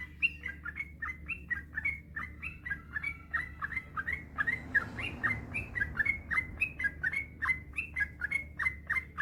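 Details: Yellow-vented bulbul giving a long, continuous song meant as a master recording to make quiet bulbuls sing: rapid bubbly chirps, about three per second, each a short down-slurred note, steady throughout with a low hum behind.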